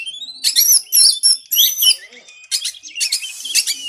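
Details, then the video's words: White-rumped shama, caged, in a training recording for reluctant singers: bright whistled phrases with chattering trills, followed by rasping buzzy notes. "MASTAERAN BURUNG KACER EMOSI"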